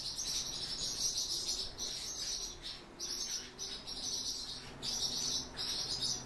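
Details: Begging of Song Thrush nestlings fed by their father, long hissing high-pitched bursts of chirping, swelling and pausing irregularly, with a soft low hum in the background.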